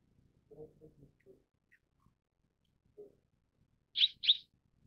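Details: Mrs. Gould's sunbird gives two loud, high chirps in close succession near the end, after a few faint lower murmurs and soft background sounds.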